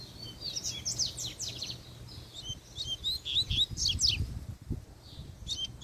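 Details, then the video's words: Spirited male double-collared seedeater in puxada song, bright high whistles and quick slurred chirps tumbling in energetic phrases, with a few low knocks and a steady hum underneath. "PUXADA DE COLEIRO, ESSE ESTÁ FOGOSO!!!"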